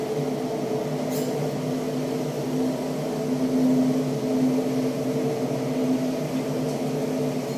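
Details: Only a steady low mechanical hum with a faint tonal drone is heard, and no bird or other animal calls.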